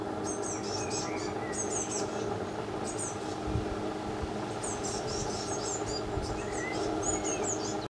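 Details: Eurasian blue tit parent feeding fledglings in a garden with several families of young birds, captured on a Canon EOS 5D MK3: repeated thin, high, tremulous begging squeaks in clusters, a few lower chirps, steady hum beneath.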